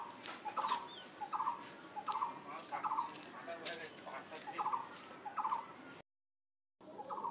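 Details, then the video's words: An unidentified bird calls with short buzzy, ladder-like bursts repeated about every three-quarters of a second, over a busy background of rustling and faint voices, with a brief gap of silence near the end. "এটা কোন পাখির ডাক বলতো আমি বুঝতে পারছিনা"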